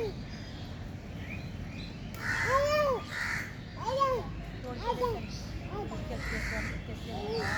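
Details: Crow, also named kaga, uttering a series of loud arched caws, several in quick succession, then fading calls, against a steady low rumble.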